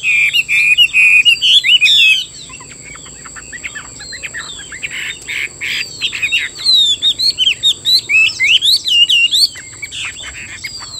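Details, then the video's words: A Chinese hwamei sings loud, rich phrases of varied whistles and rapid trills, with brief pauses between two long bursts. "Họa mi hót hay"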